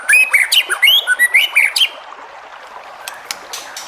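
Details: White-rumped shama song meant to provoke rival shamas into singing: about two seconds of rapid, varied whistled notes and chattering phrases, then quiet with a few faint clicks.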